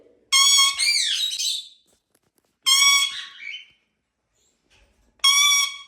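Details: Pet Indian ringneck parakeet making funny sounds and singing: three loud, harmonic, squawky whistled bursts, the first sliding downward, each separated by clean silence.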